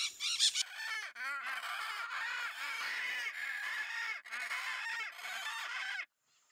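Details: Blue-throated macaw, a critically endangered species, from a nest-box programme where chicks fledged. Harsh, arched squawks with stacked overtones come in a steady stream for six seconds, with short low bursts underneath, then stop abruptly.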